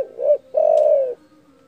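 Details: Loud spotted dove call meant to rile rival birds, a short hooting note followed by one long, steady, husky coo lasting about half a second.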